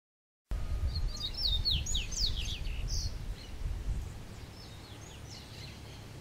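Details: A double-collared seedeater sings a quick, high song of slurred, sweet notes for about four seconds over a steady low rumble, in the forest, where a captive-born seedeater on its first outing met a wild native blue-billed seedeater.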